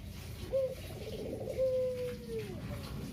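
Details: One kugeru coo from a captive local Barbary dove used to coax lazy doves into cooing: a quick high note, a pause, then a drawn-out purring roll that descends at the end, over soft background hiss.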